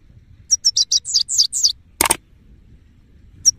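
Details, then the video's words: Male goldfinch singing: a quick twittering run of high, downward-slurred notes for about a second, then a sharp broadband knock, silence, and two brief high notes at the end. "Goldfinch bird singing in fresh mode سایره نر"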